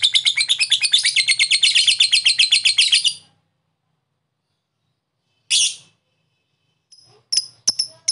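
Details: Lovebird chatter used as a lure for lazy birds: three seconds of fast shrill pulsed notes, then silence, one short harsh burst, and a few isolated sharp chips near the end.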